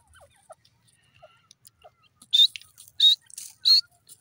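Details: Francolin (dakhni teetar) giving three loud, harsh, high-pitched notes about two-thirds of a second apart, preceded by faint scattered clicks and chirps.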